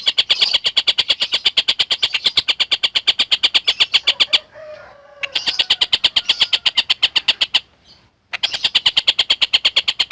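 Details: Tutor recording of a collared kingfisher for training lovebirds: long runs of rapid, sharp, high-pitched repeated notes at about seven per second, broken by two short pauses, with a faint lower sound during the first gap.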